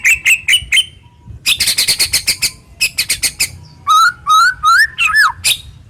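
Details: White-rumped shama pouring out rough, sharp full-volley song to stir silent shamas: short sharp notes, a fast buzzy chatter, then rich, looping whistled phrases rising and falling.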